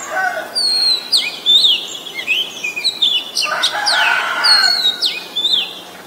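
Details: Oriental magpie-robin in Ubon Ratchathani, Thailand, on 23 December 2019, singing a varied run of clear, high whistles with sliding notes and quick chattering phrases, some sweeping down, over a faint background hiss.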